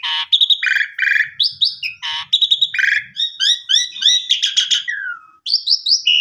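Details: Asian pied starling in full song, used to encourage a reluctant bird to sing; harsh grating bursts alternate with clear whistled notes and fast rising chirps, one short pause near the end.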